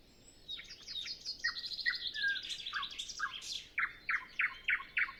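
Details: Common nightingale sings early morning before sunrise on a windless morning, with other birds not yet singing: a rich run of varied chirps, trills and fast rattles, ending in loud, evenly spaced ringing notes.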